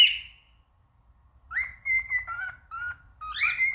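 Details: Singing male cockatiel: after a brief high note and a pause, a run of clear whistled phrases near the same pitch, some steady, some dipping, ending in a rising whistle, in a quiet room.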